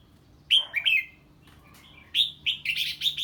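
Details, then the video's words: Loud, close 'ché' song of a red-whiskered bulbul hearing an unfamiliar bird: a bright note followed by a quick double warble. After a short pause comes a rapid run of five chirpy, liquid notes. "Chào Mào Hót Ché Khi Nghe Tiếng Chim Lạ"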